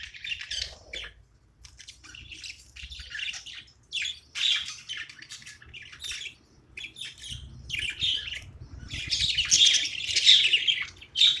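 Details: Steady, scratchy chattering from a pet budgie at play, short high chirp bursts growing louder and denser toward the end, with a faint low rumble behind.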